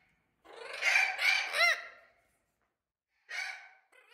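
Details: Captive young Spix's macaws, three to six months old, bred in the 2020 season: a rough, rasping screech in three pulsed parts, then a shorter harsh call after a pause.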